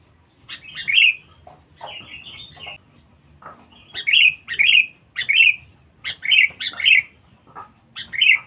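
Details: Sooty-headed bulbul, a very vocal and fierce bird, heard in a bird-luring recording: bright, chirpy bursts of short slurred notes repeated in quick clusters, with brief gaps between phrases and a faint low hum beneath.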